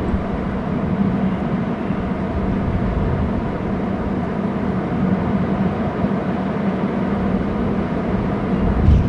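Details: Constant low rumbling wind and engine-like roar fill the recording, with no animal voice standing out.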